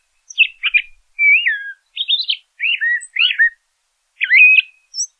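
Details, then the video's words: A LeConte's thrasher (Toxostoma lecontei) sings a varied series of short whistled and slurred phrases, each one different, with brief pauses between them; nothing else is heard. "LeConte's Thrasher Bird Singing, Calling, Chirping - Cuitlacoche Pálido Canto"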